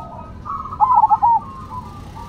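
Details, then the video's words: A Cemani and a Silver zebra dove singing in contest. A single loud, fast, warbling coo phrase rises over a softer overlapping coo from the other bird. "Perkutut Cemani Gacor Vs Silver Gacor"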